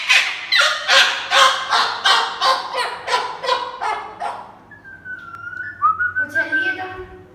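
A Moluccan cockatoo gives about nine harsh, raspy screeches, roughly two each second. They are followed by a clear, steady whistle and a brief voice.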